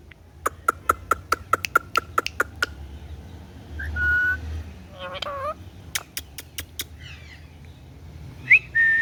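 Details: Pet green ringneck parrot producing a quick run of about a dozen sharp clicking ticks, then a short steady whistle, a buzzy descending rasp, more ticks and a final rising whistle.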